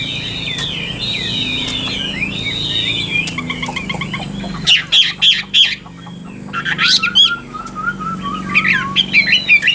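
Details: Chinese hwamei of the 'Tam Hoàng' type, a traded bird, singing a varied run of high slurred whistles, then sharp repeated notes and a descending string of short chirps, over low background hum.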